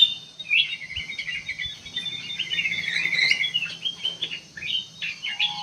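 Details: Sooty-headed bulbul song used as a lure to draw a response from other birds: busy, chattering twitter of short rising and falling notes, run together almost without pause, over a faint steady high hum.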